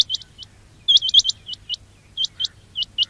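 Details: Quail call recording for luring birds during trapping: thin, high chirps that sweep upward, some single and some in tight clusters of three, over a soft low drone.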